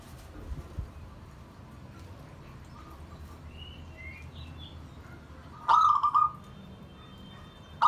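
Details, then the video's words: A pet zebra dove, bonding and inviting friends, gives a brief half-second burst of rapid, rolling coos, with faint thin whistles from other birds in the background. "Zebra dove bonding"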